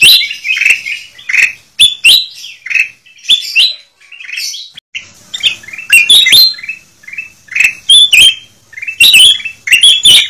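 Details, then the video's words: Black-crested bulbul lure sound: energetic twittering and scratchy chips in quick succession, with bright whistled notes and sharp clicks and a short lull midway. "Suara Pikat Kutilang Emas Ribut"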